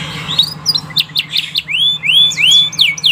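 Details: ['A canary sings to stimulate other canaries into song. Choppy high chirps lead into a series of loud, clear whistled notes that curve up and then drop, repeated about every third of a second.']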